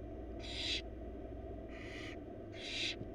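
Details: Barn owl chicks begging in a wild nest box during a rabbit meal brought by their mother to her four young; three short harsh hisses in quick succession over low steady hum.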